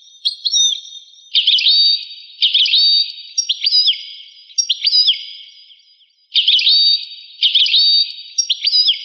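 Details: European goldfinch song from a rare 1985 recording: bursts of bright twittering and liquid notes with quick downslurred and upturned whistles, phrases of about a second separated by short pauses, on a clean, quiet background.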